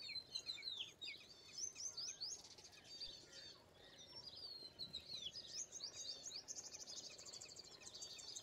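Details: Dense, continuous chatter of high squeaks, whistles and chirps from Indian pied myna, overlapping notes filling the whole stretch.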